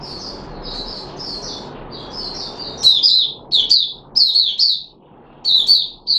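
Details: Red-whiskered bulbul (Puteh Raja), a kept bird, recorded 13 April 2021 after being fed special fruit juice and a mealworm. Soft, quiet warbled notes over a low room hum give way to loud, bright, clipped phrases repeated in bursts.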